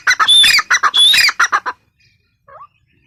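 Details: Female grey francolin uttering quick harsh bursts, two carrying a shrill whistled tone, for under two seconds, then silence apart from one soft note.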